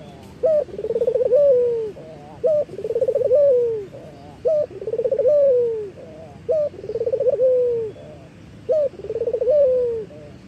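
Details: A local collared dove in full calling, used as a tutor and lure sound, gives five rolling, purring coos, each swelling then sliding down, about one every two seconds, over a low steady background hum.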